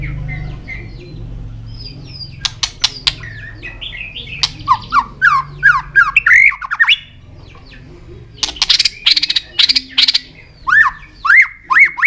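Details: White-rumped shama song with tail-flicking and clicking, meant to fire up young birds: sharp broadband clicks mixed with bright whistled slurs, then rapid bursts of clicks and rising whistles, over a low background hum.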